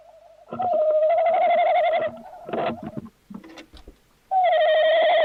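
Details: Tawny owl calling on 11-01-2026: two long, wavering hoots on a steady mid pitch, with clattering and knocking noises between them.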